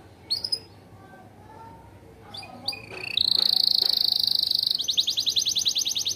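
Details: A yellow AF canary sings in 'isian gacor' style. After a few scattered chirps and a quiet pause, it bursts into a loud, sustained buzzy trill, followed by a rapid, pulsing high trill.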